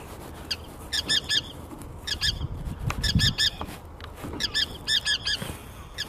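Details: Forster's tern calling: high, harsh, clipped notes given in quick bursts of three or four, the bursts spaced irregularly about a second apart, with a low rumbling background.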